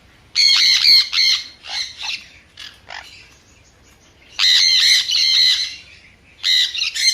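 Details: Loud, ringing, harmonic screeches from a sun conure in two main strident bursts of about a second each, with softer squawks between them and a final shriek.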